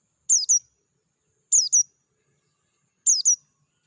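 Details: Oriental white-eye (Dakun variety) heard in the wild in a natural setting, giving three evenly spaced bursts of paired high, sharp, downward-sliding chirps, roughly one and a half seconds apart, against silence.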